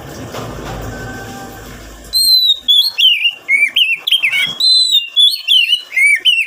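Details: Oriental magpie-robin song played to prompt wild-caught birds to sing: low background hum for two seconds, then a lively series of loud whistled phrases, swooping and twisting notes repeated almost twice a second.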